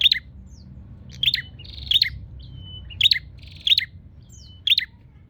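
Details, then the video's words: Bar-winged prinia seeking a rival, uttering loud, sharp chirps roughly every second, mixed with short buzzy trills and thin whistled notes, against quiet low background noise. "suara burung prenjak nyari lawan"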